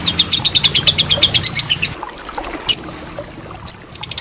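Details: Lovebird ngekek trill, used as training material for contest birds: two seconds of rapid high chattering, then near-silence broken by two loud sharp chirps and a few soft notes.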